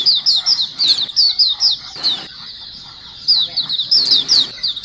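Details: Group of white-eyes calling together as a lure: dense runs of high, downward-slurred chirps, pausing for about a second in the middle before the rapid chirping resumes.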